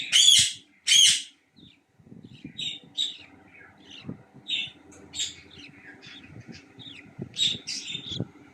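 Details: Budgerigar (Melopsittacus undulatus) chicks, about 19 days old, give harsh, buzzy chirps and squawks, with two loud bursts opening the sequence.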